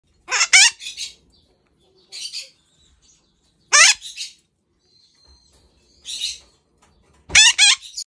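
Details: A little red-shouldered macaw gives harsh, grating screams, three loud bursts with quieter raspy notes between them.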